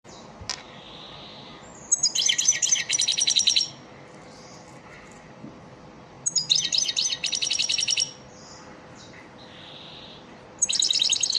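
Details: European goldfinch, elmacık type, lesson song for training caged birds: three bursts of bright, fast tinkling twitters, each about two seconds long, separated by quiet pauses with faint soft notes between.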